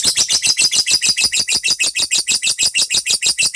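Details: Fighter-style lovebird song, trained with the untulan system: an unbroken, fast chatter of harsh, buzzy, high-pitched notes pulsing about three times a second, loud and close indoors.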